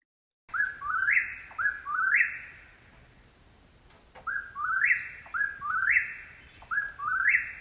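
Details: Eastern whip-poor-will (Antrostomus vociferus) song marking its breeding territory: loud whistled three-note 'whip-poor-WILL' phrases, the last note sweeping sharply up, repeated about once a second with a short pause.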